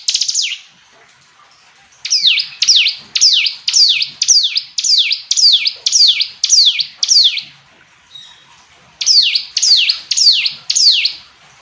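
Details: Loud, clear hill prinia song: one phrase, a two-second pause, then a rhythmic series of about ten clicking, down-slurred phrases, a short break, and four more.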